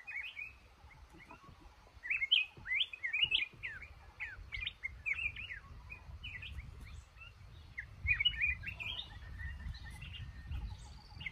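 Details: Trapped male red-whiskered bulbul in a cashew garden singing lively slurred whistles and chattering notes over a constant hum of low background noise.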